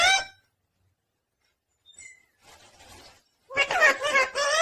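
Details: A talking parrot called Mithu, prompted with "Mithu Radhe Radhe", talks in short bursts of high, speech-like words with harsh, buzzy edges, separated by a brief whistle and quiet chatter.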